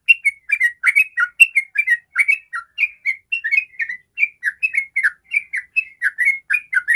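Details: Sooty-headed bulbul in continuous 'ropel' song, played as a lure for other bulbuls. A long unbroken chatter of quick, bubbling whistled notes keeps a lively, uneven rhythm for the whole seven seconds.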